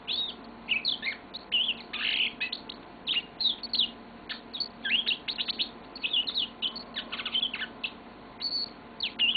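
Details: Long, continuous song from a yellow-fronted canary kept as a pet: dense bursts of high chirps, trills and descending whistles that flow on for over nine seconds, with a soft low hum behind.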